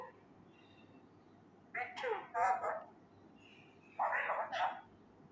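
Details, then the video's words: Young pet male Indian ringneck parakeet loudly repeats learned Urdu words, two quick clusters of raspy speech-like syllables a couple of seconds apart, over a faint steady hum. "MY Talking Raw Male parrot try to learn words loudly (kia bol rha ho me,kia howa,kia hogaya,Mithu he"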